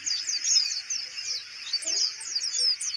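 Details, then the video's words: Kolibri ninja (Van Hasselt's sunbird) in a cage, still singing during handling; short bursts of thin, high, sliding twitters that come in quick succession, with small dips in loudness between phrases. "konin mental bagus,kandang dipegang tetap bunyi"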